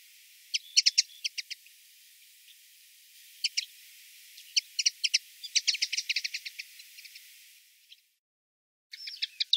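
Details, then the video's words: Common linnet in Wittlich, Germany, 2018: scattered sharp chirps and short twittering runs over a steady background hiss, with a brief gap before a last burst. "Bluthänfling, auch Hänfling oder Flachsfink"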